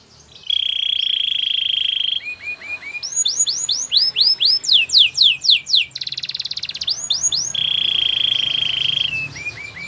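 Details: Canary training song: a steady buzzy trill, a few short dropping notes, then a run of bright sweeping whistles and a dense rapid rattle, ending back on the level buzzy trill.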